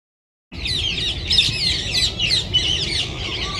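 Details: Rose-ringed parakeets, a flock of an estimated 1000 descended from escaped pets, enter a winter roost in a Japanese city with a dense chorus of harsh, shrill overlapping squawks and screeches over a low rumble.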